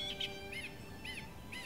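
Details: A song thrush singing at dawn in summer, while waiting for its second brood, gives a short run of bright, arched whistled notes, repeated about every half second, over a faint steady hum.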